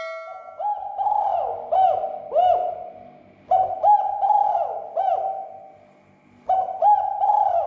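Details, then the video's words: Cooing of a spotted dove played to agitate rival doves so they call: three soft, low phrases every three seconds, each a run of three or four rounded, bubbling notes. "SUARA PERANGSANG TEKUKUR AGAR SEGERA EMOSI DAN BUNYI"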